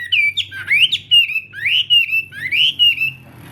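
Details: Chinese hwamei singing in morning practice, a loud run of rich slurred whistles rising and falling, each phrase sweeping upward then levelling off, repeated several times.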